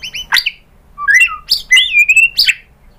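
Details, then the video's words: White-rumped shama singing as a lure for other birds: a couple of high ticks, then a burst of varied whistles with falling and rising slurs, loud and clear, ending in a sharp downward note. "PANCINGAN MURAI BATU GACOR bikin EMOSI jadi NYAUT BONGKAR MATERI ISIAN ¦ SHAMA BIRD"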